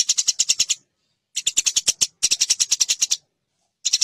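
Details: Eurasian tree sparrows fighting, a master recording used to teach competition songbirds: quick bursts of about six to ten sharp, high chirps each, broken by brief silences, rapid and harsh.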